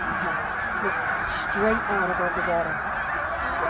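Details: Snow geese massed at Middle Creek wildlife refuge during migration, around 100,000 birds, give a steady babble of honks, with a few clearer short yelping notes rising above the dense background chorus.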